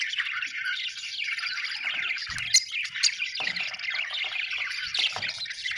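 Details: Soft, busy budgie warbling of chirps and gurgles flows steadily along, with a faint low knock just past two seconds.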